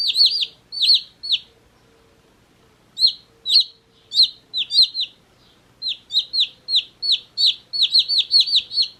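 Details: Several one-day-old chicks give shrill, down-slurred peeps in quick bursts of two to five, with short pauses between and a faint low hum behind.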